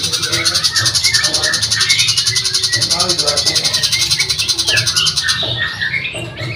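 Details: Long-tailed shrike, song used as a training recording for caged shrikes, singing a rapid, scratchy medley of varied chattering and whistled notes over a steady high buzzing background.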